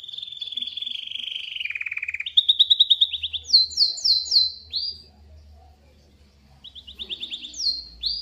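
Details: Canary singing, a recording used to prompt another canary to answer: long fast trills stepping down in pitch, then a run of loud repeated rising chirps, a pause, and more rising trilled phrases over a low hum.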